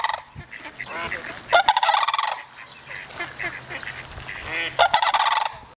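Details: Young sandhill cranes, three together at Reifel bird sanctuary, trade calls: two loud, rapid rolling rattles about three seconds apart, with softer honking notes and faint background noise between them.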